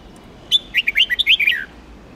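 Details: Contest-trained red-whiskered bulbul from Huế sings a single lively phrase: a sharp opening note, then a rush of rolling, slurred whistles dipping and rising, closing with a downward slur.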